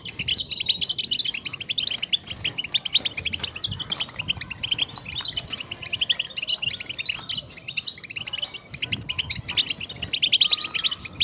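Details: European goldfinch chatter in the batbata style, used to encourage silent goldfinches to sing; a dense stream of fast high twitters over noticeable background noise and low rumbling throughout.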